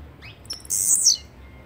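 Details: A blue-black grassquit (Volatinia jacarina) gives a thin rising note and then one loud, sizzling, very high buzz about half a second long that drops in pitch as it ends. The background is quiet.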